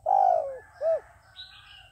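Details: Trapping decoy dove calling wild doves in with part of its coo: a long drawn, slightly falling hooted note followed by one short rounded hoot. Faint higher chirps sound behind it.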